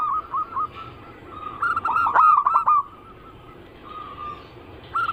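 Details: Lure recording of zebra doves in the anggungan cooing style: a few short coos, then a loud central burst of fast, rolling notes with clicks, and more isolated coos after a pause.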